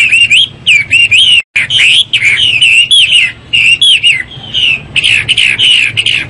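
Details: Chinese hwamei in full voice, giving strong melodious whistles and wavering warbles in quick succession, broken by a single short silence near the start.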